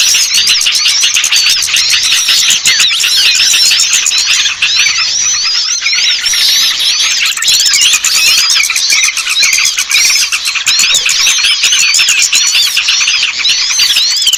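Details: Small birds in a lure call used to bring down small birds that are reluctant to descend. Dense, continuous, overlapping high-pitched squeaky twitters and chattering notes run throughout over a constant hissing buzz.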